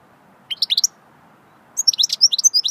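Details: A goldfinch gives swittey song: a few rapid tinkling notes, a pause, then a longer lively stream of high, slurred twitters.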